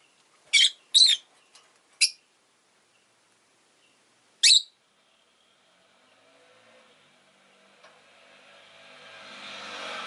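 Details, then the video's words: Short, shrill chirps from a rosy-faced lovebird, three in quick succession and one more about two seconds later, then quiet until street traffic noise swells steadily toward the end. "Lovebird Chirping Sounds"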